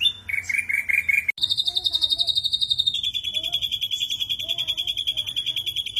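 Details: Ashy drongo delivering 'tembakan kasar', a rough burst style of song: a short buzzy phrase, then a long harsh rattling trill held at a steady high pitch that drops slightly halfway and runs for several seconds.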